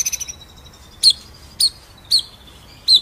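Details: White-rumped shama from a masteran ngerol nembak recording: a short burst of high notes, then four loud, sharp, high chips spaced about half a second apart over a thin, steady, faint whistle.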